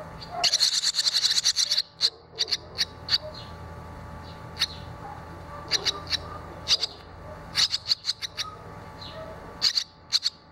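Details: Barn swallow young, two already out of the nest and one having flown and returned, give a quick burst of high twittering chirps, then sharp single notes at uneven intervals of a second or so over a faint low hum.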